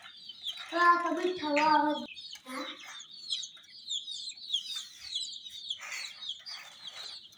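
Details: ['Hen chicks among miniature jeep toys, a brief human voice at the start, then continuous shrill, rapid peeping from several chicks.']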